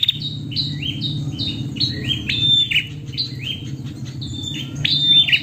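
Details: A female prinia gives quick, high chirping notes in rapid clusters, several each second, some slurred up and down, calling to a male, over a steady low hum.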